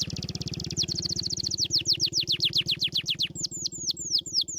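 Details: Song of a canary, played to prompt lazy canaries to start singing: a rapid high rattle-like trill slowing into repeated downward-sweeping whistles, about four per second, over a soft low background hum.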